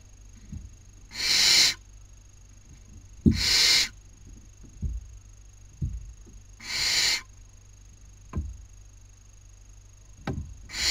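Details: Owlets of Barn owl on a nest webcam in Cabañeros National Park, Spain, 2019, one taking her sister's dinner. Three rough, snoring hisses are broken by soft knocks and scuffles, over a faint continuous high tone.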